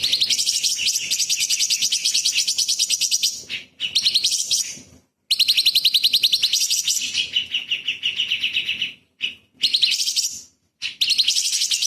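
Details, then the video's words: Light-vented bulbul singing intensely in 'tembakan' style, a master recording for magpie-robins: long streams of fast, high, buzzy trilled notes broken by short pauses, with a few lower sliding phrases. "CUCAK CUNGKOK SUPER GACOR ! Full Isian TEMBAKAN ISTIMEWA BURUNG KECIL"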